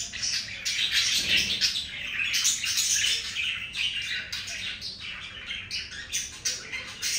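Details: Budgerigars in a breeding moment, mating; steady stream of scratchy warbling chatter and clipped squawks, dense and unbroken, with a brief soft flutter partway through.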